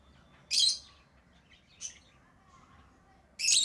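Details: Lovebird chirping: a loud shrill chirp, a softer chirp a second later, then another piercing harsh chirp at the end, with quiet gaps between.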